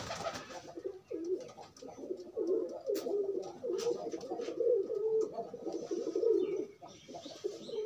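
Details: Courting pigeons forming a pair while free: steady run of low, burbling coos in short repeated bursts, one after another with little pause.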